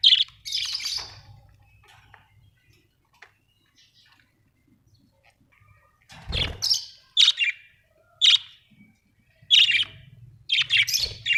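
Budgerigars give sharp, high chirps and scratchy squawks in short bursts, fall quiet for a few seconds, then resume with chirps about once a second.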